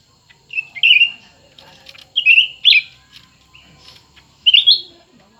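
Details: ['Singing match between a new and an old cucak ranting: rapid rolling whistled phrases, three loud bursts with quieter twitters in between.']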